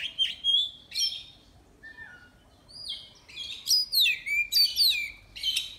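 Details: An Oriental magpie-robin in a singing competition, caged, from Miri, Sarawak: clear whistled notes, a low falling slur, then quick cascades of downward-sweeping high whistles and chips.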